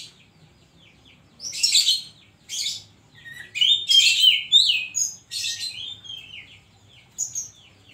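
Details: Kacer, the Oriental magpie-robin, in full gacor song with isian koslet filler: a lively run of scratchy, buzzy high notes mixed with short sliding whistles, delivered in quick bursts with brief pauses.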